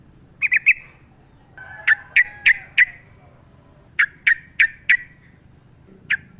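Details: Wild sooty-headed bulbul recorded in the forest as a natural lure for captive bulbuls; a quick triplet, then evenly spaced sharp chirps, four in a row, repeated twice, ending with two more notes.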